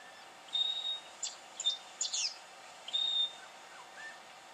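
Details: Black honeyeater, Victoria, Australia, October 2011: two long, thin, even whistles on a high pitch separated by a few brief scratchy chirps, ending with faint lower notes and light background hiss.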